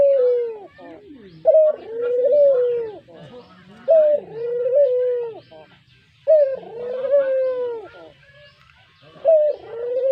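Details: Pet brown Barbary dove giving its melodious lure call, a run of repeated two-part coos, short high opening then long wavering hoot, roughly every two and a half seconds.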